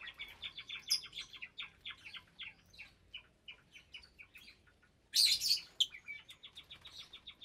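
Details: At a January 2023 meal time in a breeding aviary holding about 25 lovebirds of several colour mutations, quick high chirps repeat about three times a second, broken by a sudden loud shrill screech, over a low background hum.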